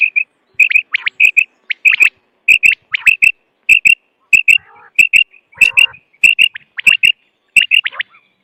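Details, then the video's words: Quail call played for hunting: crisp triple-note phrases, each followed by a sharp rising sweep, repeated steadily about every half second. Two brief raspy bursts break the series. "sound of btair 2023/بٹیر کی لاجواب کیسٹ"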